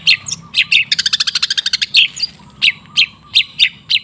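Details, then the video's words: Long-tailed shrike song used as a lure recording to prompt a silent caged bird to sing: harsh buzzy notes, then a fast rapid trill of about fifteen pulses, followed by sharp chattering notes repeated roughly every third of a second. "Suara TERAPI pancingan cendet macet supaya rajin bunyi"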